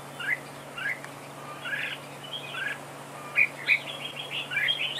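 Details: Red-whiskered bulbul duel song from a trap decoy: loose slurred warbles, two loud sharp chirps midway, then a rising run of quick chirping notes; low hum underneath.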